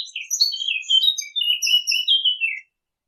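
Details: Chirping birds in a dense, continuous stream of bright high twitters and short downslurred notes, overlapping for over two seconds before stopping abruptly into silence.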